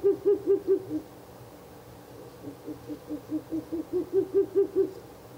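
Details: Night of 16 April 2024 at a nest box, third night of visits: a Ural owl repeats low hoots, four loud ones, a softer stretch, then a run building back to strong, evenly spaced hoots.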